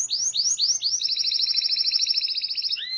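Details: Canary song used to teach young canaries to sing and to get silent birds singing: swooping upslurred whistles, then a long fast trill of rapid repeated notes, ending in a rising slur.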